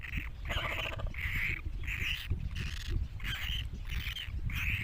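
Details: Calls of Great cormorant chicks: a steady run of about eight raspy, nasal squeals, each roughly half a second long with short gaps between, above a low background rumble.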